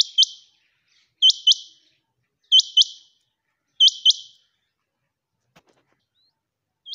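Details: A female quail calls, giving sharp, high, hooked notes in quick pairs, one pair every second and a quarter or so, against a quiet background.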